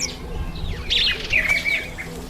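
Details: Masked weaver in breeding season, September to October, when it takes on bright breeding plumage; a busy run of sliding, chattering chirps and short whistled notes over a steady low hum.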